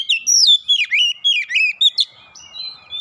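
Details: Oriental magpie-robin provoked into an aggressive challenge, pouring out its repertoire: fast loud whistled phrases with steep swoops in the first two seconds, then quieter drawn-out whistles and faint chatter.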